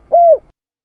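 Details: A spotted dove, recorded as a lure call, gives one soft, hollow coo, a steady mid-pitched note lasting about a third of a second, then silence.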